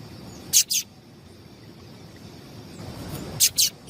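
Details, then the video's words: Two quick pairs of piercing, high chips from a female double-collared seedeater, a call said to set males singing, separated by nearly three seconds of quiet hiss. "Esse Piado de Fêmea de Papa capim é Seu Papa capim Vai Ficar Cantando RÁPIDO!!!"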